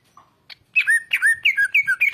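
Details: Greater green leafbird used as a training song for other cage birds: after two faint notes, a run of loud alternating chirps and slurred falling whistles.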